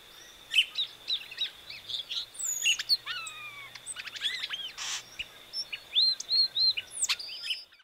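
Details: Song of a variable oriole (Encontro) mixing clipped chirps, descending slurred whistles and brief noisy bursts in a lively, uneven sequence, with a continuous high thin whine in the background.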